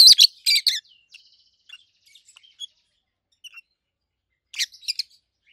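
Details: Two adult captive rosy-faced lovebirds, a red-head green opaline and a white-head pallid aqua opaline, give loud high chirps: harsh bursts near the start and end with soft scattered twitters between.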